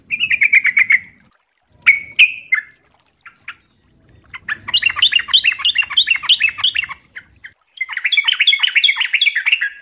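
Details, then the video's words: Sooty-headed bulbul in ropel style, a fast continuous song used as a training recording: a short burst of chirps, scattered notes, then two long runs of quick, rising-and-falling chattering whistles, with faint low rumble beneath. "MASTERAN TRUCUKAN GACOR||LANGSUNG NYAUT CEPAT ROPEL||TERAPI TRUCUK"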